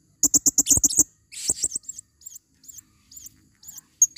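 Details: A female blue-crowned hanging parrot, used as a forest lure, gives a fast run of clicky, high chips, then thin squeaky notes repeated at even intervals. The background is quiet.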